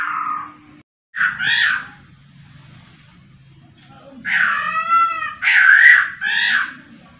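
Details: Laughingthrush in full voice with loud, harsh, harmonic-rich calls in bursts, one long ringing stacked phrase followed by two shorter strident notes, separated by quiet stretches with low background hum.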